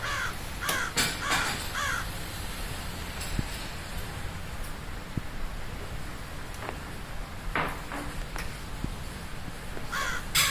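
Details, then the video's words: Crow caws: a burst of several harsh calls at the start, a few more scattered through the middle and another at the end, set against a noisy, rushing background with some clicks. "Crow Cawing Loud"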